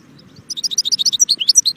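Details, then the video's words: Goldfinch song: after a few faint soft notes, a fast, loud run of high twittering, tinkling notes follows, jumping up and down in pitch at a steady, rapid pace. "saka kuşu"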